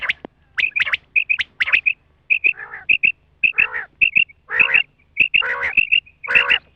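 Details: Female rain quail sound for hunting: rapid high chirps and doubled whistled notes, interspersed with several rough, nasal, buzzy bursts.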